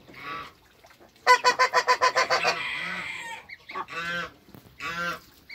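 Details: Toulouse goose mother in a backyard with first-day hybrid African and Toulouse goslings; a fast series of about eight clipped honks is followed by a drawn-out blaring call and two separate lower honks.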